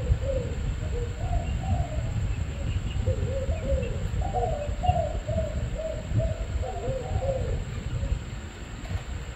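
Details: Spotted dove cooing in a long series of soft, hollow, wavering coo phrases through most of the recording, over a constant low rumble and a faint steady high whine.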